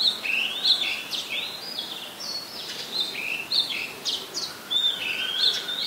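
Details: Oriental magpie-robin singing at Ubon Ratchathani, Thailand, on 17 July 2021: a continuous run of rich whistles, rising slurs and quick scratchy notes, densely strung together with few gaps, against light ambient hiss.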